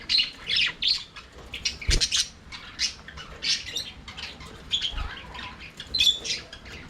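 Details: Several budgerigars in an aviary, singing and playing: bursts of scratchy chirps and squeaks separated by short pauses, with two low thuds and some fluttering.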